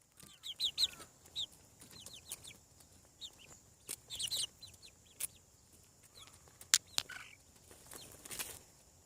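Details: Hatching chickens on a farm: short, high, downward-sliding peeps, repeated irregularly in small bursts with brief pauses, and occasional sharp clicks or knocks in the background.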